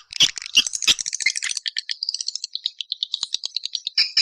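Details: Swiftlet attraction call in Walet Naga style: a few loud sharp chirps, then a fast rattling twitter of short high notes that slows slightly, ending with two bright chirps.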